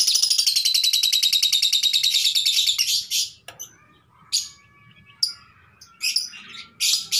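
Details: Female lovebird calling to the male to mate, giving a long rapid train of harsh high chirps for about three seconds, then scattered shorter shrill bursts with faint background hum.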